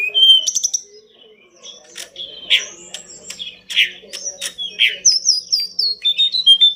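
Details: Lively pied bush chat song recorded as a master for pet-bird training: fast varied warbling with rapid chips and harsh notes, ending in a run of descending high whistled slurs.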